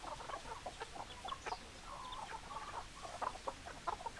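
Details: Hens cluck continuously, with brief abrupt notes tumbling over one another in an irregular patter and one slightly drawn-out note near the middle.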